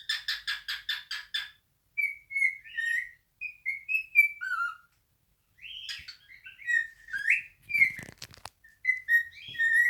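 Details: Male pet cockatiel (Nymphicus hollandicus) singing its natural song, spreading its wings as it sings: clear, whistled phrases after a quick run of harsh, repeated chirps.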